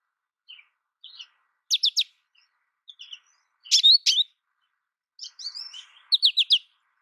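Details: Scattered short phrases from an American goldfinch: soft single chirps, then quick bursts of three or four crisp high notes, separated by pauses, in a quiet setting.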